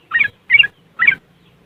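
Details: Yellow-vented bulbul riwikan phrase, West Java, Indonesia, recorded on an Android phone for luring caged birds to sing. Three short, bright, slightly buzzy bursts spaced about half a second apart, then quiet.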